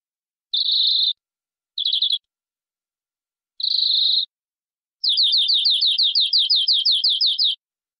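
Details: Local canary of forest stock in full-filler cengkok song: three short buzzy, rattling bursts with pauses between them, then a longer trill of sharply downslurred high notes lasting about two and a half seconds.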